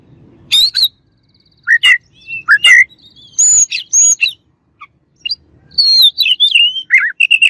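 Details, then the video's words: Oriental magpie-robin singing to agitate an opponent. The bird gives a lively mix of clear whistles, scratchy high notes and warbling runs. Phrases come in bursts separated by brief pauses, with faint low noise early on. "KACER LAWAN AUTO EMOSI DENGER INI"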